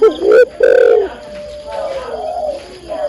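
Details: A female spotted dove calls the male with two strong, low, hollow coos in quick succession, then quieter drawn-out cooing notes.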